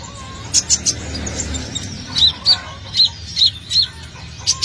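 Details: Olive-backed sunbird singing energetically, the recording used as a lure to attract birds: a run of bright, high, evenly spaced chirps about every half second after a few quick ticks, over a low background hum.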